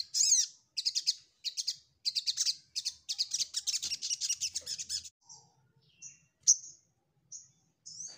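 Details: Ruby-cheeked sunbird song used to seek out a rival: rapid high buzzy trilled phrases repeated in quick bursts for five seconds, followed by thin scattered whistles and short notes in a quiet background.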